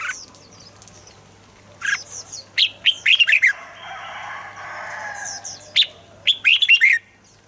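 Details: Red-whiskered bulbul song, intended for playing to make birds lively. Bouncy, fluty phrases of several quick notes come near 3 and 6.5 seconds. A brief rushing noise is heard between them, with high chirps of other birds.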